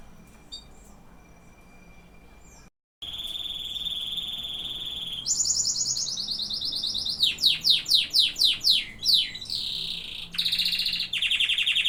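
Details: Canary song: quiet faint notes, then a steady whistle, a high buzzy trill, a run of repeated descending slurred notes, and a final loud rolling trill.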